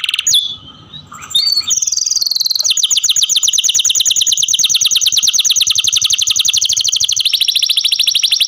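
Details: Caged canary kept as a pet singing; after a few sharp whistled notes, a long rapid trill of high, evenly repeated buzzy notes runs for several seconds, shifting slightly in pitch partway through.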